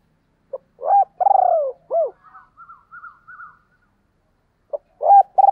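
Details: Spotted dove giving its calling phrase twice: a short note, then a loud, low, slightly descending coo with a purring middle section and a falling final coo, followed by softer higher warbling notes; the phrase starts again near the end.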